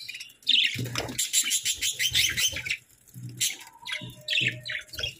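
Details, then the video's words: Happy budgerigars chirping while feeding at breakfast in the morning: busy, scratchy, high chatter in overlapping bursts, with soft low thumps and a brief faint tonal line underneath. "Happy Budgie Sounds"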